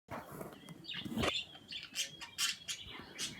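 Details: Two pet birds chirping and making kissing sounds; short broadband smacks and thin high chirps come in quick irregular bursts, with a faint steady whistle tone running underneath.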